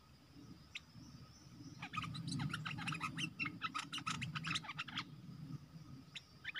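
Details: Red-whiskered bulbul caged as a lure for wild birds, recorded 12 September 2021: one lone chirp, then about three seconds of fast, dense chattering notes, followed by a couple of brief chirps, with low rumble underneath.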